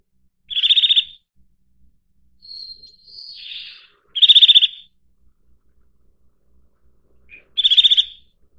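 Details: Eurasian nuthatch calling: three loud, rapid trills of about ten clipped high notes, each trill lasting half a second and coming roughly every three and a half seconds, with thin softer whistled and buzzy notes between.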